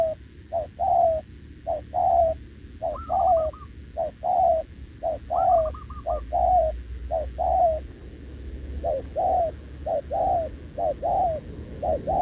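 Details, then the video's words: Short-legged spotted dove, wild-caught and caged, coos steadily at a decoy bird: a long series of low paired coos about once a second, twice overlaid by a higher rolling trill, with a faint low hum beneath. "Bổi đồng chân lùn | Bo mình chắc đẹp | gù liền với mồi Đồng TT"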